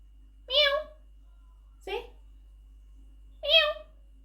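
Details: A pet male monk parakeet (Quaker parrot) talks in three short, voice-like utterances about one and a half seconds apart, the first and last drawn out like a cat's meow, in a quiet room.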